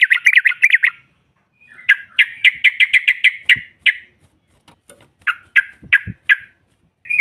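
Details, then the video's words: Female sooty-headed bulbul sounding off to provoke rivals: a rapid chattering run, then well-spaced loud chirps roughly every third of a second, slowing to single notes with faint knocks between. "SEKALI PUTAR SEMUA TRUCUKAN NYAUT NGROPEL Seketika"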